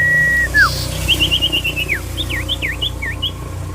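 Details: Common iora, sirtu fighter style, opening with a level whistle that drops away, then a fast trill of high notes and a set of swooping V-shaped whistles. Background hum throughout.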